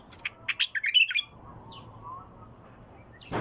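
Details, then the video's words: Bulbul with a pure, raw voice, singing one fast, loud run of bubbling, chirped notes, then a short faint note and a soft low murmur. "اجمل مداور لغات بلبل خام حنجره نقيه"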